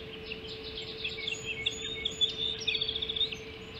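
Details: Osprey at the Hog Island nest as the first breakfast of 7 July 2016 is served at 05:20; thin high chirps build into a rapid, ringing series of piping notes near the end, with a steady mechanical hum beneath.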